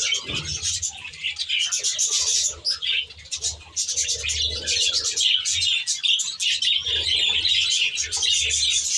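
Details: A flock of aviary budgerigars keeps up rapid high chirps and warbles, with a brief quieter dip near three seconds and recurring deep cooing underneath.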